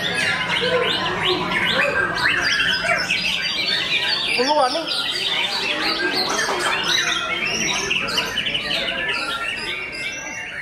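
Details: Young white-rumped shama at a singing contest in Intercone Stadium on 30 July 2023. Dense, rapid, varied whistles and chattering phrases overlap without pause, mixed with other competing birds and background crowd.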